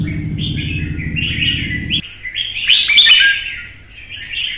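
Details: Kept red-whiskered bulbul from Vietnam in agitated contest singing, its warbled phrases partly overlaid at first by a low rumbling hum, then a loud bright burst of notes.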